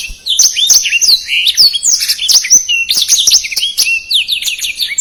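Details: Black-throated canary singing rapid, densely packed song, used as a tutor for contest birds: steady high twittering of crisp chirps and swooping whistles running without pause.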